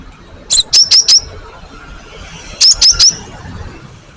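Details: Cinereous tit (gelatik batu) in a master recording meant to provoke answers. Two quick runs of four bright, high chirped notes, each starting with a higher piercing note, are separated by a short quiet gap.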